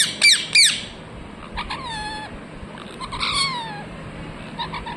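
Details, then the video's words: A parrot gives two loud, harsh chirps, then longer, softer whistles that slide slowly downward, with a few faint chirps at the close. "Parrot chirping sounds"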